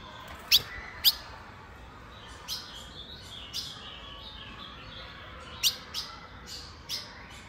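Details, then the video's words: A female Colombian blue-black grosbeak calls and sings, giving sharp, high metallic chips at an uneven pace, with softer short notes between them over a faint steady hiss. "Fêmia de azulão colombiana cantando e piando"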